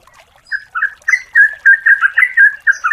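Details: A lure recording of a female yellow-vented bulbul calling the male. After a brief quiet start, a loud string of rich, bubbly notes follows in quick succession.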